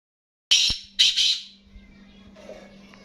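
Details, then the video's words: A caged black francolin gives a short burst of three harsh, grating notes, the last two closely paired, followed by a steady low hum. "Black Francolin Cage For Nawab Kala Teetar ki Awaz"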